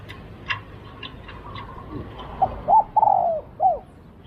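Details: Spotted dove in a decoy-luring session, giving one clear phrase: a short hoot, an arched coo, a long quavering drawn note sliding down, then a final arched coo, after faint clicks and tapping.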